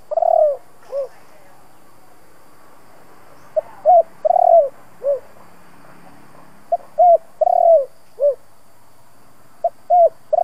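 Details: Spotted dove cooing in the "kích bổi" style, a Vietnamese recording for training and stimulating decoy doves. Clear phrases of soft, hollow coos, a short note followed by a longer rolling one, repeated in groups about every three seconds against a quiet background.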